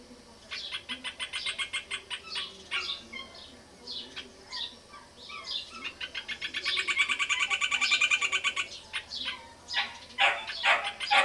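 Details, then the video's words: Rufous hornero singing from a tree next to a house on a small rural property: scattered sharp notes build into a long, loud, rapid trill of evenly repeated ringing notes, then break into harsh separate calls. "João-de-barro construtor e cantador"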